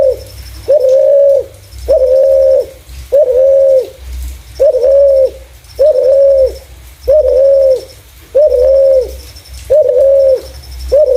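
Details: Spotted dove with a clear voice for luring other doves: a long series of about nine level, mellow coos, roughly one every 1.2 seconds, with a faint, high, intermittent tone and soft low rumble behind.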